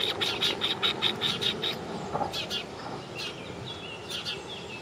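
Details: Sparrow calling with a quick run of short, bright chirps, roughly two and a half per second, then a few scattered sharper chirps over steady outdoor background noise.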